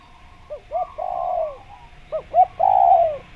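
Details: Spotted dove calling vigorously, a recording meant as a lure for trapping wild doves. Two short arched coos, then a long drawn-out falling coo. The pattern repeats once more, with the long note again at the end.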